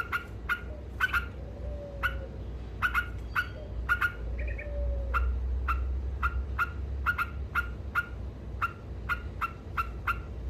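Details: Trucuk, the yellow-vented bulbul, in lively ngekek song meant to rile opponents: clipped buzzy notes fired singly and in bursts, with a couple of soft sliding whistles in the background and a steady low rumble.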